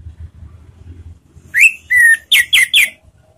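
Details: Ngeriwik lure phrase from an orange-headed thrush, played to prompt thrushes to sing: a rising whistle, a level drawn-out whistle, then three quick, loud slurred notes over a low background hum.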